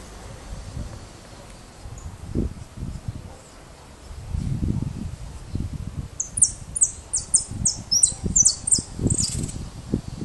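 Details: A young white (leucistic) European goldfinch, a pet bird just starting to sing: a burst of high, bright, short chirps and twitters in the second half, over low rustling and handling noises.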